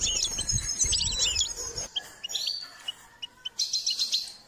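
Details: Goldfinch singing as part of a song training recording: rapid twittering trills and short high chirps, dense at first, then sparser notes after a brief pause, with faint low rumble in the background.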